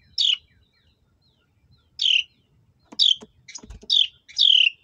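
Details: Baby birds as their mother feeds them: bright, falling chirps, five in all, the later ones coming closer together, mixed with short clicks and rustling near the end.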